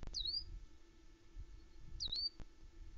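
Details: Unseen wild songbirds near the Loch Arkaig osprey nest in Scotland, around 9am on 21 May 2020, picked up by a woodland nest camera: two brief, high, sweet whistled notes about two seconds apart over a faint low rumble.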